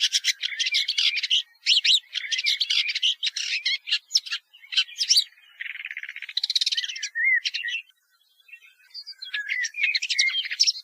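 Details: Woodchat shrike singing a long, busy medley of grating chatter and squeaky notes, with a short pause before rising whistled slurs and more scratchy phrases; clean background.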